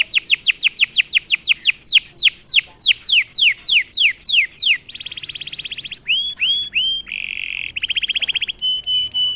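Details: Canary in loud 'gacor' song after being prompted: a long series of sharp falling whistles, about three a second, giving way to buzzy trills and short pure whistled notes.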